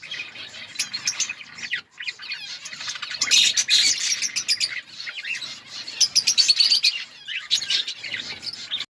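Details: Budgies chirping in an outdoor colony, many birds calling at once in quick high twittering notes and warbles, swelling louder midway, with a brief lull near two seconds.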